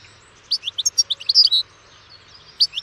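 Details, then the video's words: European goldfinch song: a rapid string of clear, twittering chirps ending in a brief buzzy flourish, followed after a short pause by two more high chirps. "O canto do PINTASSILGO/GOLDFINCH SONG"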